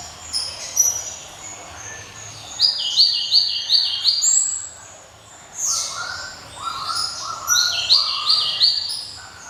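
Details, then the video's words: Java sparrow with a clear, ringing song: a fast run of sharp, high, down-slurred chirps, a brief pause, then lower bell-like notes followed by another series of piercing chirps. "SI CABE RAWIT GLATIK,SUARA CEMELENTING TIADA TANDINGNYA"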